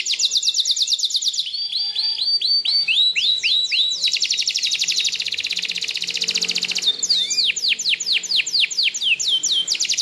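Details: Canary singing: fast, high trills of repeated chirps and sweeping whistled notes, changing tempo every second or two, with rolling rattles and rising looped phrases, continuous and loud throughout.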